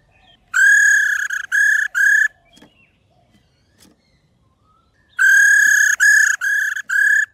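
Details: Female white-browed laughingthrush uttering her 'ro' call to stimulate singing in males; a burst of three buzzy, harmonic-laden notes, a quiet stretch with soft clicks, then three more harsh notes.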